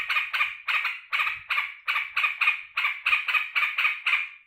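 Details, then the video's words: Joyful at its keeper's return from work, a caged sooty-headed bulbul gives a rapid string of scratchy, burred chatter notes, roughly four bursts each second. "BEGINILAH BURUNG TRUCUKAN KALAU MENYAMBUT TUANNYA PULANG KERJA"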